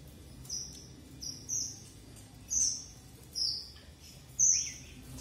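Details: Red avadavat, or strawberry finch, uttering five high, thin, level whistled notes spaced roughly a second apart, clear over a quiet background with faint low hum.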